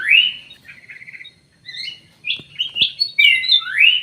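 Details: Common green magpie fitted with an anklet inside an aviary: a bright rising whistle, a short rattling trill, then a rush of varied sharp notes ending in another upswept whistle.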